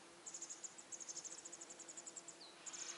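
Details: Begging masked wagtail fledglings, out of the nest yet still fed by their mother, produce a rapid run of sharp, very high chirps forming a steady trill, briefly broken by a single lower slurred note before resuming.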